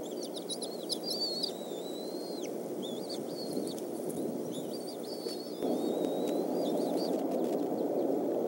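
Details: Eagles at the Decorah nest at evening feeding time, 17 May 2014, the male delivering fish to the young; high thin whistled and chittering calls in quick sequences, with constant low background rumble that grows louder midway.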